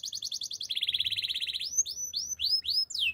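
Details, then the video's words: Canary singing a training song, a very fast pulsed trill stepping down in pitch, followed by loud slurred notes sweeping down from high. "The most powerful canary training song"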